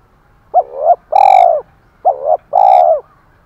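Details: Decoy spotted dove with a 'thổ pha' voice, used for fighting and calling. Two clean phrases are heard: a short bouncing double note leads into a drawn-out, mellow low coo.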